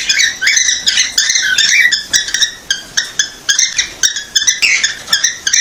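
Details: A cockatiel sings a run of bright, warbling chirps and whistles in quick bursts, a sound said to make a female cockatiel take the mating posture.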